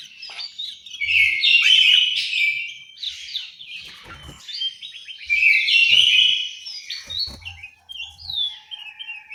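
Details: Orange-headed thrush singing in an East Java aviary in Malang: two strong bursts of fast, jumbled whistles and mimicking chirps about four seconds apart, with quieter twitters between and a few dull knocks.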